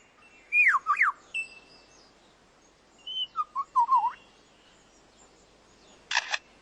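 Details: A male lyrebird in the forest, trying to outdo rivals, gives loud, swooping whistled notes, then a burst of dry mechanical clicks copying a camera shutter, mimicked sounds woven into its song.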